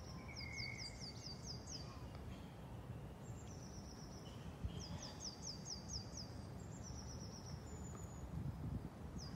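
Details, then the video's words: Birds in Islington, London, on a morning, giving high, thin trills of quick descending notes in several separate bursts above a constant low rumble of city traffic noise "Birds chirp loudly in the morning in Islington London"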